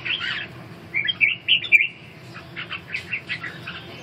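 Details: Red-whiskered bulbul singing in a dueling contest: a burst of warbling, then a few clear whistled notes, then a rapid run of short chirps.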